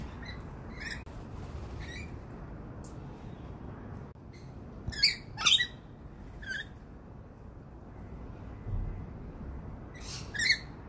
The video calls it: Lorikeet good morning